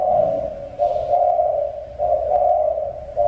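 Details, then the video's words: Mountain-region spotted dove cooing in a steady run of four low, husky notes, each under a second, with barely any pause between them over a faint low rumble. "Cu Gáy Người Vùng Núi"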